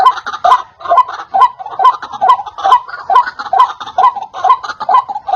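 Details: White-breasted waterhen call used as a lure for trapping: a steady series of harsh, croaking double notes, mid-pitched, repeated about twice a second with a very even rhythm throughout.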